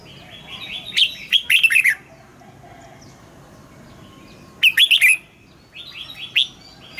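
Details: Morning song of a red-whiskered bulbul, played to train caged birds in the mature wild double-note style: two loud chattering warbled phrases and a softer third, separated by quiet gaps.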